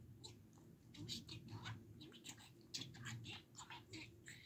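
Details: Domestic budgerigar talking indoors: fast, raspy babble of short noisy syllables packed closely together, with scattered sharper chirps and clicks throughout, over a soft low hum.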